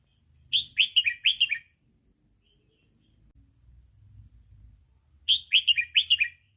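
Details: Red-whiskered bulbul song in the 'sai ble' style for training young birds: two quick bursts of bright, tumbling chirps about five seconds apart, with a soft low rumble between them.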